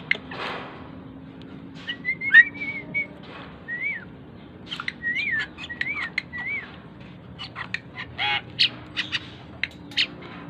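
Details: Asian pied starling, tame, singing steadily to coax other birds into song: slurred whistled notes that rise and fall, interspersed with sharp chattering clicks and brief rasping bursts.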